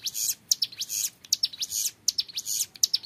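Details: Young ciblek gunung (hill prinia) in 'ngebren' song: bright, buzzy, high-pitched note clusters with sharp clicks, about three bursts a second, clean and close.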